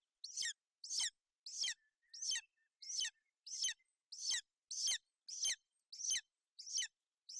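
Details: Female golden eagle with her chick on a Bucovina nest in inclement weather, 28 May 2021; loud, shrill chirps sweeping downward, about a dozen in steady succession, with a faint thin whistle between.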